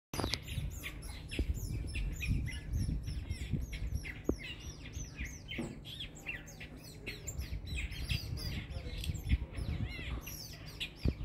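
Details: Jacobin cuckoo begging from dark-capped bulbul foster parents at Lower Sabie camp; it calls persistently while they are away and screeches when food arrives. Dense, rapid, high descending chirps run throughout over a steady low rumble of background noise.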